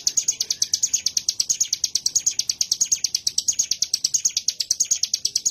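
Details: Prinia (local name ciblek gunung) singing in the style called tembakan gelombang; a loud, fast, even run of very high, sharp chirps, roughly seven per second, held steady throughout.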